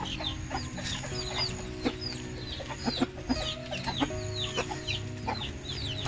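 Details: A hen whose only chick has disappeared searches for it, giving low, repeated clucking calls while many small birds chirp high and quick over soft background music.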